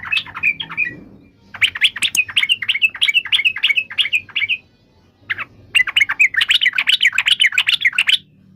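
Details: Yellow-vented bulbul singing lively bubbling phrases of quick chirping notes, each phrase lasting around three seconds, with a pause between them and faint low background hum.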